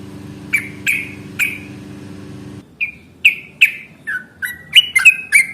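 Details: Yellow-vented bulbul in lively fighting song, a long 'ropel' recording used as a lure to make other bulbuls answer: sharp chirps sweeping down around a steady pitch, three early then a quicker run of seven, low hum in the first half.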